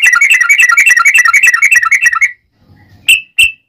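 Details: Yellow-vented bulbul in vigorous fighting mode, singing a long rapid 'ropel' song: a fast run of bright, bubbly notes repeated about three per second for two seconds, then a pause and a few sharp, higher chirps.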